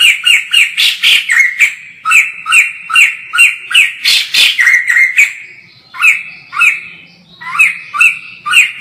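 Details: White-crested laughingthrush in lively full song, heard from a distance: a fast, steady series of loud, harsh, bright notes at roughly three per second, then slower, spaced notes with short gaps between them.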